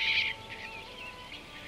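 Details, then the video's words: Eurasian golden oriole in Kartsevsky forest near Ryazan, Russia, gives a single harsh, cat-like mewing screech, loud and grating for a fraction of a second, then fading into background hiss; orioles keep meowing after attacking predators near the nest. "And the orioles continue to meow for a long time."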